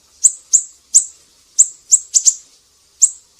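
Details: Siri-siri chips used to tutor cage songbirds: a handful of very high, clipped notes, mostly single, with one quick doubled pair and brief silences between them.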